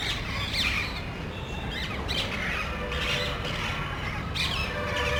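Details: A small parrot group inspecting electrical and TV cable boxes for nesting places gives loud, scratchy squawks. Several harsh calls come roughly every second, with a continuous low hum behind them.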